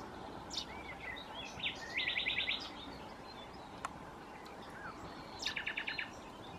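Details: Cirl bunting in Croatia gives two dry, flat rattles, each a fast run of about eight identical notes on one pitch, a few seconds apart, among scattered chirps of other birds.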